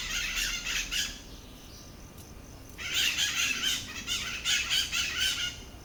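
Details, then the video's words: A pair of white-eyed parakeets making a noisy racket in the Atlantic Forest at Lagoa da Conceição, Ilha de Santa Catarina. Harsh, grating screeches come in two dense chattering bouts, the first short and the second longer, over a faint background hiss. "Sons de periquitão-maracanã na Mata Atlântica."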